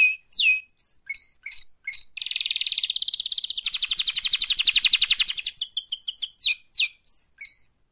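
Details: Singing canary giving a mating call: swooping chirps and short whistles, then a sustained rattling trill of rapid pulses for about three seconds, ending with a run of quick repeated chirps and falling whistles.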